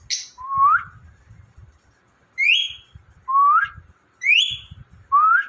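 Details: Indian ringneck parrot whistling: clear upward-sliding notes, each rising sharply at the end, repeated roughly once a second in a steady series, with light low background noise.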